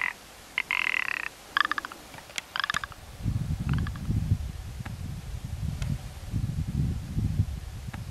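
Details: Rock ptarmigan opening with a grating rattle and a few clicking croaks, followed by low thudding and rumbling sounds.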